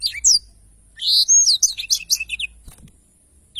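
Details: Energetic black-throated canary in rolling song for bird tutoring: a brief whistle, then a fast twittering phrase of slurred notes, fading to near silence with a final note at the end.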